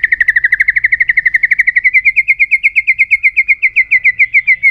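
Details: White-rumped shama delivering a long unbroken trill during an aggressive tail-flicking display to provoke other birds: about eight rapid, evenly spaced high notes each second, pitch creeping slightly upward across nearly five seconds.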